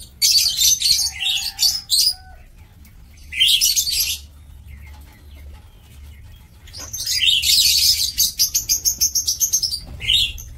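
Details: Captive lovebirds in an Indonesian breeding aviary give loud, shrill chattering bursts, then a fast series of about a dozen evenly repeated high squeaks near the end.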